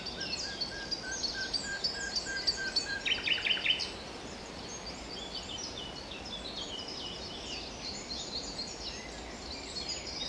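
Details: A common nightingale (Luscinia megarhynchos) sings at Wijgmaalbroek on 22 April 2020, a loud, varied phrase of low piping notes and fast rattling repeats; fainter songs of other birds carry on in the background.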